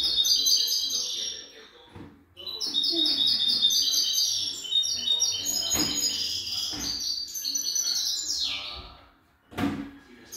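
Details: Young European goldfinch singing a fast, liquid twittering song of bright high chirps and trills in dense runs, with brief pauses, a descending slurred note near the end, and soft clicks in the background.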